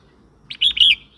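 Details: Red-whiskered bulbul song phrase, used to provoke other birds or train young ones: a rapid, liquid, warbled run of linked notes lasting about half a second, loud and clear above a faint low background.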